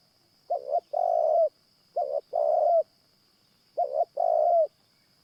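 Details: Spotted Dove cooing during a morning session trapping wild doves with a caged decoy; three evenly spaced phrases, each a brisk double note then a drawn-out mellow coo tailing downward, with a continuous high whine.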